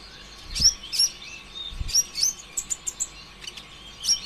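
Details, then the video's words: Greenish kolibri ninja sunbird in an energetic, non-stop singing style, played to prompt other birds to sing: quick series of very high, sharp chirps and short twittering notes, evenly spaced, with two dull low knocks near the start. "PANCINGAN ampuh suara konin ijoan KONSLET"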